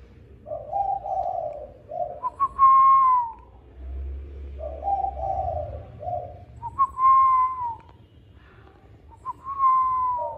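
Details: Spotted dove coos at evening mealtime, repeating low, mellow two-part phrases; between them come clear, steady whistled notes that slide slightly downward, and faint low rumbling sits in the background.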